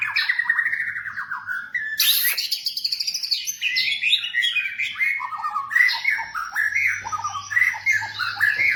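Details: Captive-training song of a white-rumped shama: busy, rapidly repeated warbled notes stepping downward, a sudden very high burst, then a long stream of mixed chirps, trills and whistles.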